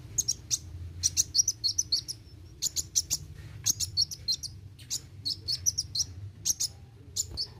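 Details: Sunbird in full song, delivering rapid bursts of very high, sharp chirps and short trills in clustered phrases with brief gaps, a steady low hum beneath.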